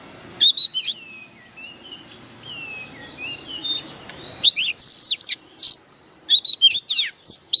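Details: White-rumped shama decoy bird in fierce full voice. Faint distant chirping opens the recording, then loud rapid sequences of sharp whistled notes, steep slurs and trills arrive in clustered bursts toward the end.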